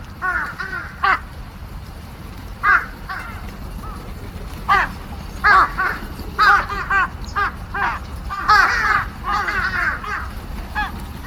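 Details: A crowd of crows arriving to eat on March 18, 2026, calling with loud, harsh caws in irregular clusters, often several in quick succession from overlapping birds, with quieter gaps between bursts.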